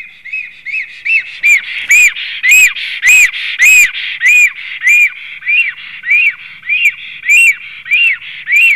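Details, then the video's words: Male black stork back at the nest on 3 April 2016 at 15:24, whistling at length: a steady series of arched, clear whistled notes, about a hundred a minute, some louder with ringing overtones. "melnais starkis Male returns, whistles for a long time and flew away"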